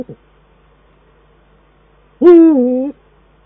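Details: Male and female Eurasian eagle-owls duet at a nest in the Eifel in December 2012. A brief low note is followed by one loud, hoarse, slightly wavering call lasting under a second. The background is quiet.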